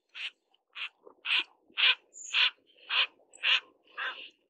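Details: Short, rough, nasal calls from a mandarin duck while mating, eight notes spaced roughly half a second apart at steady loudness, with a faint high squeak between some calls.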